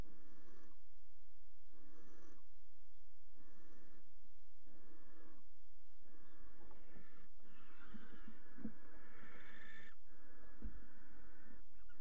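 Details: Barn owl at a water-tower nest box on 5 February 2018, during pairing on the ledge. Rhythmic breathy hisses start the clip, then give way to scuffling, knocking and rustling movement sounds.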